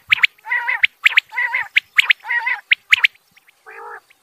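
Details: Quail pair calling, male and female: paired sharp chirps alternate with nasal, buzzy, grating notes in a steady back-and-forth rhythm. The sequence ends in one low rasp.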